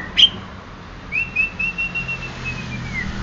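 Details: Greater green leafbird, Banyuwangi type: one sharp high chip, then a long, smooth whistle that rises and holds steady before slowly falling away.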